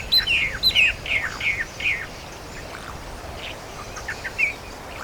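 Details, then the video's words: Countryside birdsong: a bird repeats a falling slurred whistle about five times in quick succession, then fainter chirps follow, over a steady hiss of rural background noise. "Sonidos de Pajaritos del Campo"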